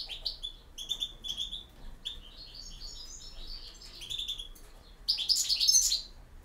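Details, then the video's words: Goldfinch song in the campero style: clear, repeated high chirps leading into a fluid run of liquid twitters, ending in a loud, dense, jangling flourish of rapid notes. "El Jilguero"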